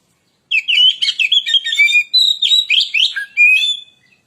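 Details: White-rumped shama (kacer) in full song for luring: an energetic, varied string of sharp whistles, slurs and scratchy chatter lasting over three seconds, then silence.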